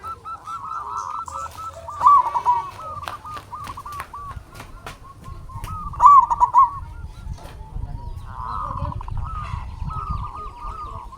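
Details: Local zebra doves, whose song is meant to provoke silent doves into answering, give rolling, hooked coo phrases. Two louder bursts come around the second and sixth seconds over a low background rumble.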